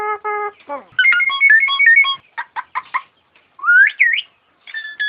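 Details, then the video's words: Masteran of a Nias hill myna: stacked nasal notes, a quick run of bright whistled chips, short scratchy notes, then a loud looping rising whistle and a final clear note. "materan suara burung jalak nias"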